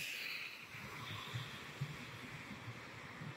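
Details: Low indoor hum and soft broadband hiss with a few dull knocks, no animal sounds.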